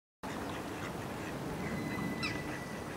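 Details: Mallard (Anas platyrhynchos) on a pond gives a few short, rough quacks over a steady rushing background of wind or water.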